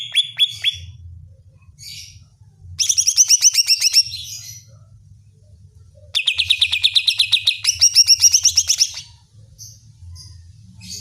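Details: Greater green leafbird singing to rile up other leafbirds: two long bursts of rapid, even chirps, bright and high with a slightly rattling quality, separated by quieter scattered notes, over a steady low hum.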